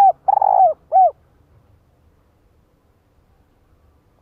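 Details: Spotted dove female used as a decoy to lure a male, giving a cooing phrase: a hooked coo, a long rolling coo, then a falling hooked note, followed by quiet low rumble and the start of another coo.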